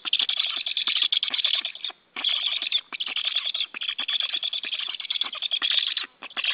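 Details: Nest-camera stream of a white stork at the nest on a July 2013 morning: dense, hoarse chattering pulses run almost nonstop, broken by two brief pauses, with a scratchy, compressed quality.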